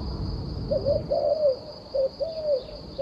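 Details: Short burst of turtle dove cooing, two paired phrases each of a brief note and a longer falling coo, with a continuous high whine in the background.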